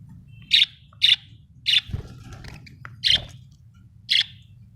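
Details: Budgerigar, an Australian bird, giving short bright chirps around five times in under five seconds, evenly spaced about half a second to a second apart, over a faint low hum.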